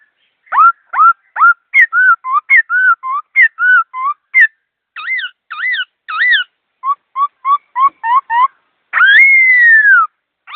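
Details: Fast, clear laughingthrush song made of many short whistled notes, mostly dipping slurs in quick varied groups, ending with one long loud downslurred whistle. Nothing else can be heard.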